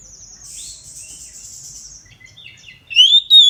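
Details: Oriental magpie-robin at midday: a long thin high buzzy hiss, a few soft notes, then two loud clear rising whistles at the end.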